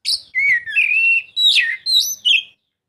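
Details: Oriental magpie-robin song meant to stimulate a silent bird: one clean phrase of long, clear whistles, slurred up and down, with sharp higher notes near the end before it stops.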